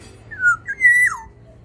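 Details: In an aviary, a Sumbawa black-naped oriole sings one liquid, flute-like phrase: a falling whistle, a brief pause, then a long steady note closing with a swooping fall.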